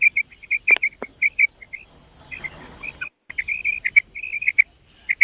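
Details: Female common quail (batair) giving quick, high, clipped chirps in uneven bursts, broken by a short hissy stretch and a moment of silence before the chirping resumes.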